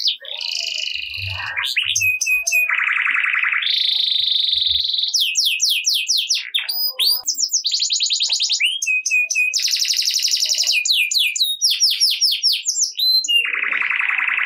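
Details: Long, varied canary song intended to spur quiet canaries to sing: fast rattling rolls change pitch again and again, mixed with sharp clicking chirp series and brief whistles, ending on a lower buzzing trill.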